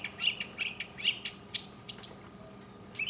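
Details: Mockingbird singing solo, recorded in 2015: a varied run of short chirped and slurred high phrases, several notes sliding down, with brief pauses between bursts and a faint low hum behind.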